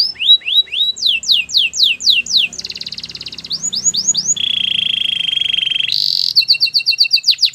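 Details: Canary training song: repeated falling whistled sweeps, a buzzy pulsed roll, a pure sustained tone, a short high burst, and an ending trill of clipped notes.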